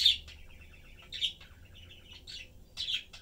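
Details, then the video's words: Budgie family, parents and a chick, chatting and eating; quiet burbling warble between a few loud rasping chirps, low hum in the room. "Sunday cute Budgie/Parakeet family lives, chatting, having fun and eating."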